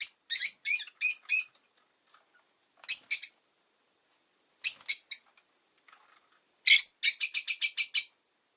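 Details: A quick chattering series of high, sharp chirps from a Rosy-faced lovebird, in bursts of several notes, ending in a fast run of about eight chirps.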